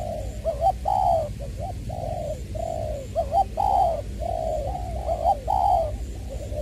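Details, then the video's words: Spotted dove decoy from Long Đức, Trà Vinh, Vietnam, heard 22 February 2021 in its 'giọng tiểu' voice. A steady run of mellow low coos, short doubled notes alternating with longer swelling ones, with a constant low hum behind. "Ra mắt AE nước chơi mồi lỡ "Chuẩn Giọng Tiểu""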